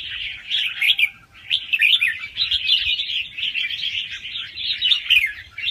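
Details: Fast, soft song of a young wild red-whiskered bulbul with doubled phrases, used to excite listening birds. A jumble of lively whistled notes follows a short pause near the first second, over faint low hum.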